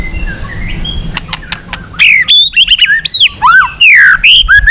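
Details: A white-rumped shama sings loudly in a fighting-song style meant to excite weaker birds: after scattered clicks, a rich burst of looping whistles, sweeping rises and falls packed closely together.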